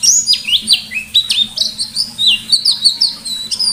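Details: White-eye in energetic 'ngalas nembak' song: a fast, unbroken run of high whistled notes, rising and falling slurs tumbling together with almost no pause, over a faint low hum.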